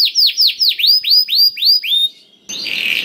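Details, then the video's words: Black-throated canary singing, used to encourage other canaries to sing: about eight loud downward-swooping whistled notes in steady succession, a short pause, then a harsh buzzy rasp. "KENARI ISIAN BLACKTHROAT #181 || VOICE OF CANARY"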